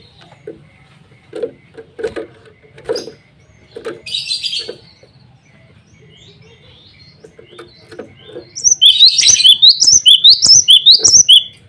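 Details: Low scattered chirps and a brief rustle come first. Then a male cinereous tit calling rivals and a female launches into a long, loud run of rapid, high, repeated rising-falling whistles lasting about three seconds.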